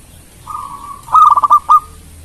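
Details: Single phrase from a local Indonesian zebra dove singing to draw quick responses from rival birds: a smooth level coo breaks into a quick stutter of clipped notes and ends with a louder final coo.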